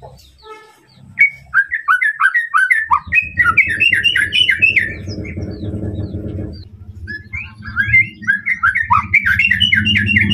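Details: White-rumped shama singing to stir a rival's emotions: rapid runs of short chirped and whistled notes, several per second, with a steady low rumbling background throughout.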